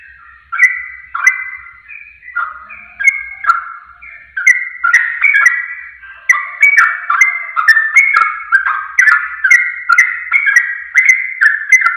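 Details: Sooty-headed bulbul singing, used as a lure to set off rapid answering song: lively bubbling phrases repeated about twice a second, growing denser and louder after a quiet start with a faint low hum.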